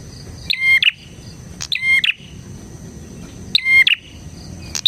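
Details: Bar-winged prinia song used for tutoring and luring prinias: repeated sharp buzzy phrases with a steady whistled note, three to four in five seconds, over faint low hum.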